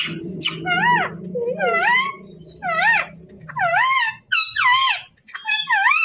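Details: Caged pet parrot chattering nonstop to itself: a run of rich, wavering, voice-like calls that bend up and down in pitch, about one per second, in a small room with a faint steady tone in the background.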